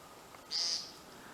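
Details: An American woodcock, heard at night in early spring with snow still on the ground, gives a single brief, high, buzzy note under half a second; it returns each spring, taken as a sign spring is coming.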